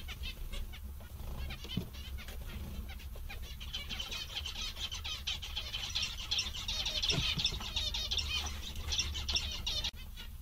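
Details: Several zebra finches, described as cheerful, content and amusing, chatter nonstop: dense overlapping nasal, buzzy chirps and quick trills form a busy continuous stream, with a steady low hum underneath throughout.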